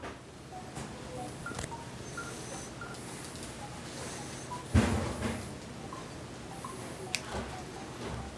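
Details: Soft room noise with faint, short electronic beeps like phone keys and one dull knock; no animal voice stands out.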